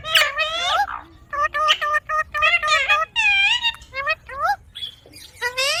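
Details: A green pet rose-ringed (ringneck) parakeet, Psittacula krameri, talks in a quiet room, chattering in rapid, squeaky, speech-like phrases a few syllables long with rising and falling inflections.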